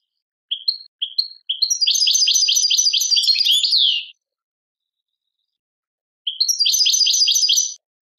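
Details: Algerian European goldfinch singing in the 'tadmait' style: a few short, separated chirps, then a dense, rapid, tinkling twitter for about three seconds, a pause, and another similar burst of chattering phrases. Background is silent.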